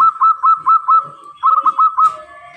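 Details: Local zebra dove in full, clear song: two quick runs of bright, bubbling pulsed coos on one steady pitch, each run about five notes, ending in a softer fading tone.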